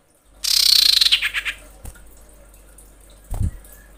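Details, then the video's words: Female common iora in breeding condition calling to attract males. A fast, harsh, high trill slows into a few spaced, separate pulses. Dull low knocks follow. "SUARA SIRPU/CIPOH BETINA BIrahi memanggil jantan"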